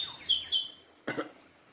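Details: Caged capim seedeater singing, stirred up after a day with a female: a quick run of high, thin whistled notes sliding downward, followed by a short throat-clearing noise from a person.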